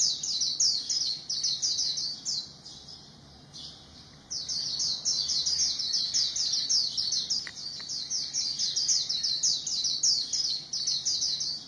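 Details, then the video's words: A small white-eye gives a long, fast stream of thin, high, bright notes, about three per second, broken by a brief pause near the middle before the twittering resumes just as rapidly over a quiet background hum. "Zosteropidae bird singing, good voice"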